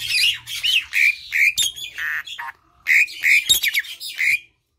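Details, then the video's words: An Asian pied starling (jalak suren) sings a jumble of harsh, squawking and chattering phrases mixed with brief whistles, in short bursts with small pauses, played to coax silent starlings into singing. "Jalak suren yang diam coba pancing dengan suara ini"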